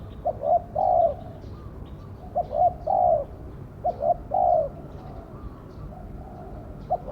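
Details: Spotted dove used to lure wild doves gives low, mellow cooing phrases of two brief notes and a long coo, three clear repeats, then a fainter one.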